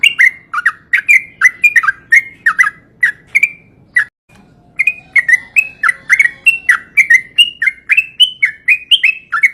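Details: Yellow-vented bulbul singing: a lively series of liquid, bubbly whistled notes that dip and rise, roughly three per second, pausing briefly midway, with soft low background hum throughout.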